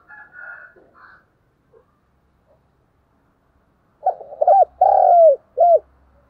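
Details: Soft, higher rough notes come first, then a loud decoy spotted dove phrase: quick arched coos, a long sustained coo dropping in pitch, and a closing arched coo. This is cooing meant to provoke fighting or courtship.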